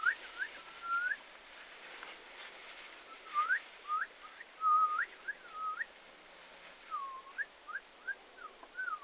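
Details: Turkeys on the day they arrived at the farm, 11 August 2015: thin whistled peeps, each note swooping down then up, given in loose bursts of two to four with quiet gaps, over a soft hiss of background noise.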